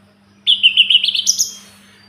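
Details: A single brief phrase from a Sunda robin, used for tutoring: a fast run of bright, repeated whistled notes that climb stepwise in pitch over about one second, then fade out. A faint low hum sits underneath.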